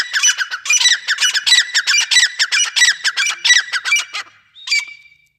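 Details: Desi teetar or grey francolin giving a fast series of loud, grating, squawking notes for about four seconds. A brief final note follows as the sound fades out.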